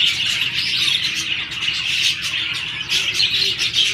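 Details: Paired budgerigars mating in breeding season fill the air with loud, constant high twitters and squawks, briefly softening near the middle before resuming.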